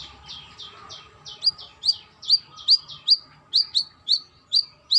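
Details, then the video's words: Brown-throated sunbird, a female calling to a male, opening with quick soft twittering notes. A fast series of loud, bright flicked chips follows, about two per second, over a faint hum. "BURUNG KOLIBRI KELAPA TROTOL GACOR || KOLIBRI MANGGAR GACOR"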